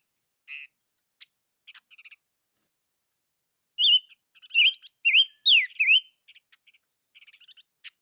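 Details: Chim ngũ sắc giving a few scattered soft chips, then a burst of loud, ringing whistles, each sharply dipping and rising, repeated about twice a second, before fading back to quiet ticking notes.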